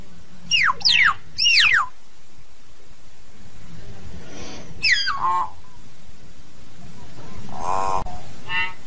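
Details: Common hill myna song used to gather the flock. Three rapid arched whistles open the sequence, followed by a faint harsh note and a descending whistled slur. A loud, rasping squawk and a softer call close it.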